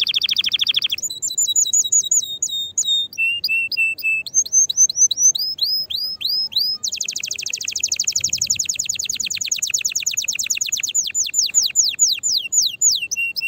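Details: Male canary singing strongly to excite females for mating and prompt other canaries to sing; a varied song of rising whistled notes, a low held tone, then a long rapid rolling trill of sweeping notes.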